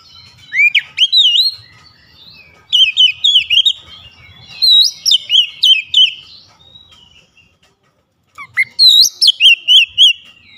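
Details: Oriental magpie-robin pouring out loud, sharp whistles with its beak opened wide, phrases of quick repeated up-slurred notes separated by brief gaps, with a faint low rumble underneath.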